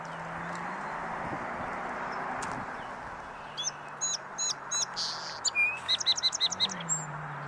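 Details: Male song sparrow at a park corral corner on a salvia bush, a favoured spot: a few spaced sharp introductory notes, then a fast rhythmic series of repeated clipped notes, over a constant low hiss.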